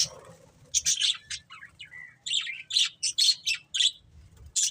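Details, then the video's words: Budgie chirps come in short separate bursts: bright squeaky notes and a brief whistled tone, repeated roughly every third of a second after a quiet start. "Beautiful Budgies Chirping Sounds"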